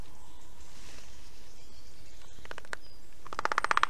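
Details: At an Estonian Black stork nest, morning of 19 July 2021, while fish is brought for breakfast: after quiet background, a series of rapid rasping pulses builds and grows louder at the end, with faint high bird chirps behind.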